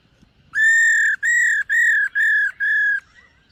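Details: ['Black-throated laughingthrush (khướu bạc má) in morning voice training: five loud, level, pure whistles, each about half a second long, given in a steady row with brief gaps.']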